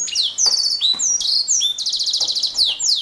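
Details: Canary delivering loud, continuous high-pitched song: rapid rolling trills and slurred whistles, including a long even trill in the second half.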